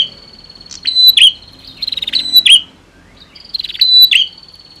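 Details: Female and male prinia singing against each other, used to rouse birds that have stopped singing: high buzzy notes with sharp downward slurs, then rapid ticking trills in short bursts about every second, with quiet gaps between.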